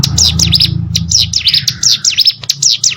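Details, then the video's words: Hill prinia song recorded as tutor audio for contest birds: fast run of high, piercing V-shaped chirps repeated several times a second over a faint low rumble. "CIGUN ATAU PRENJAK GUNUNG!!! MASTERAN UNTUK BURUNG LOMBA"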